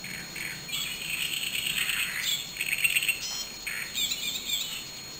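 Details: Great reed warbler at Galacho de Juslibol in May 2008 gives harsh, grating, chattering phrases in short bursts over several seconds, with a thin steady high hiss behind.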